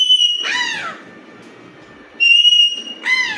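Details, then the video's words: Alexandrine parakeet calling naturally: a clear high whistled note that bends into a harsh falling squawk, then a pause, another level whistle and a second descending squawk. "Alexandrine parrot natural sounds || Raw parrot natural voices"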